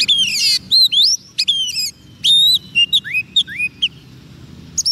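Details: Oriental magpie-robin singing as a soft decoy to lure wild birds: a fast run of loud, clear whistled notes, many sharply rising or falling, mixed with buzzy rattles and brief pauses, over faint low background rumble.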